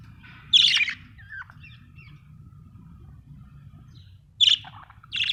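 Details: Happy budgerigar giving a loud harsh chirp, soft twittering notes, then a long quiet gap before two more sharp chirps; steady low background rumble.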